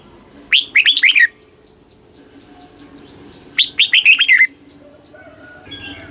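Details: Red-whiskered bulbul in the southern master song style, played to stimulate caged birds. Two bright, chirpy phrases of about five quick notes each come three seconds apart, with a faint steady hum behind.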